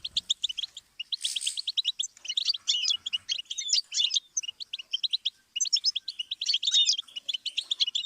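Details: Goldfinch song meant as a learning stimulus for songbirds: a short harsh buzz opens, then continuous rapid tinkling twitters and slurred whistles run almost without a break.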